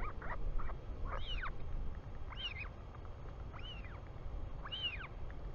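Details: Royal albatross chick in New Zealand greeting its returning father, 24 July 2020, 4:06 pm, filmed by a nest camera: four arched, squeaky whistled calls rising then falling, about one per second, over steady low wind rumble.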